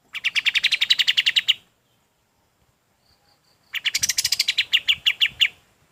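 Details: Golden-bellied gerygone song meant for training other birds: two fast trills of bright, high, clipped notes, each about one and a half seconds long, separated by a two-second silence.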